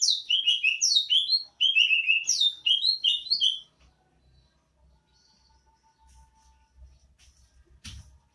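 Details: ['Banyuwangi greater green leafbird pours out a rapid run of high, slurred whistles and chattering notes for nearly four seconds, with a short pause in the middle, then quiet room hum.']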